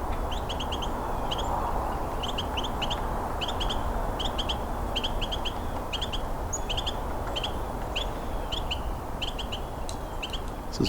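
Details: Two Carolina wrens calling in winter during a Christmas Bird Count, one close and one farther off: short, bright paired chirps repeated steadily in clusters over a strong, constant rushing background noise.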